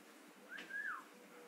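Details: Blue-fronted amazon parrot whistling while playing and having fun: a single clear tonal whistle that rises, holds briefly, then slides down, preceded by a short fainter note, in a quiet indoor setting.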